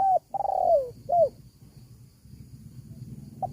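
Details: Spotted dove call used as a lure to draw wild doves: three clear, mellow coos, the middle one longest and gently falling, followed by faint background noise and a soft final note.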